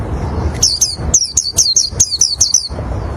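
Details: Oriental white-eye song meant to draw in other white-eyes: a quick series of about ten high, thin, downslurred chirps in a fast patter, with low rumbling noise before and after.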